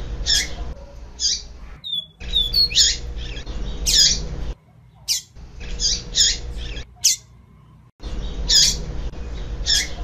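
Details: Female double-collared seedeater calling to stir up the male, sharp high buzzy chips in short bursts about a second apart with pauses, over a steady low rumbling hum.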